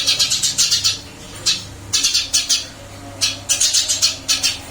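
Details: Eurasian tree sparrow kept in a cage, singing eagerly after being moved to a new one; clusters of sharp, bright chirps come in quick runs of four or five notes, broken by brief gaps, over a faint low hum.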